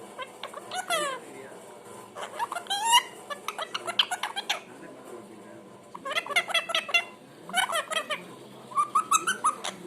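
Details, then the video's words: Parrot kept as a pet making different sounds: bursts of raspy, squawky chatter in three clusters separated by pauses, ending with a few short rising whistled notes. "makes different sounds"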